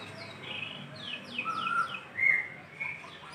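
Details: White-rumped shama in full song, calling a female: a string of clear whistled notes sliding downward, then a lower drawn-out whistle and a loud bright phrase near the end, with soft background hiss.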